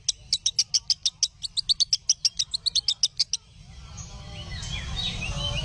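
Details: Lovebird song used to train other lovebirds: rapid high chirps for about three seconds, then the chirping stops and a rising rushing noise takes over.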